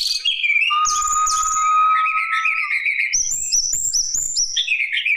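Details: Lesser shortwing song used to lure other birds into singing: high, varied whistled phrases, some long steady notes and rising slurs, then quick bursts of thin chirps jumping between pitches, with faint rustling beneath.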